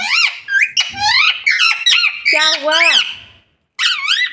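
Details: Parrot mimicking speech in rapid, raspy, squealing syllables with swooping pitch and a few harsh squawks. A short silence comes near the end before one more squeaky phrase.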